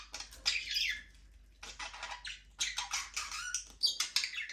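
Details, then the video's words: Several budgerigars in a small aviary trade raspy chirps and short scratchy squawks in uneven bursts, some quiet pauses between them. "Budgies parrot chirping sound for your lonely bird"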